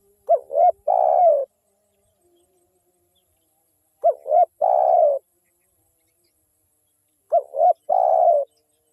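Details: Spotted dove, a lively local wild caller used as a lure: three identical phrases roughly every three and a half seconds, each two short hoarse notes then a long, wavering drawn coo.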